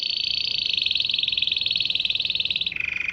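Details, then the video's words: Canary singing, its song said to draw in dozens of canaries, goldfinches and other wild birds: a rapid, even, high trill held for over two seconds, then dropping abruptly to a lower rolling trill. "تغريد كناري رائع جذب عشرات طيور ألكناري وألحسون وأنواع بريه مختلفه"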